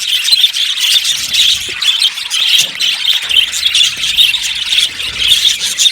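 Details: Budgerigars chattering in their aviary, a loud, even carpet of quick scratchy chirps and squawks from numerous birds.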